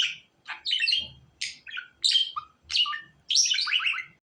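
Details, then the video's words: A budgerigar delivers a string of separate squeaky chirps and falling whistled slurs, then ends with a rapid run of descending notes. A faint low knock is heard early on. "Muhabbet Kuşunuz Bu Sesi Dinlediğinde Yeniden Doğacak"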